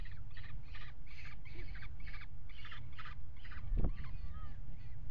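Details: Peregrine falcons mating on the ledge of a water tower nest box, 5 February 2018: a rapid series of about eight harsh, grating notes in steady rhythm, then a brief thump and a faint thin whistle over low background rumble.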